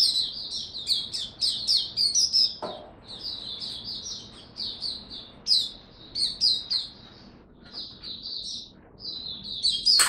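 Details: Singapore cage-kept white-eye back in song on 31 July 2023: rapid, high, chattering warble in bursts of a second or two, separated by brief pauses, with a single dull knock near the third second.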